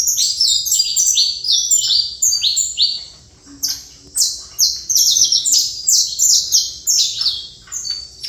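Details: Saffron finch repeating strong downslurred whistles in quick succession, grouped into rhythmic bursts separated by short pauses.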